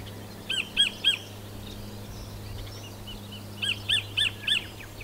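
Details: New Zealand kingfisher, known as kotare: three loud harsh notes, a pause of over two seconds, then a run of four similar notes, over a low steady hum.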